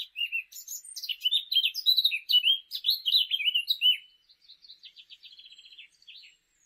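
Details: UK Eurasian blackcap song, a loud, varied fluting warble of quick slurred notes for about four seconds, fading into a softer, rapid trill at the end.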